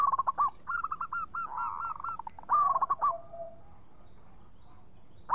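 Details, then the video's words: Lively local zebra dove (perkutut lokal) singing clearly: rapid bubbling coo phrases with rolled hooked notes, a short pause, another quick series and a low soft trailing note, then quiet. "Pancingan Perkutut Lokal Gacor Suara Bening"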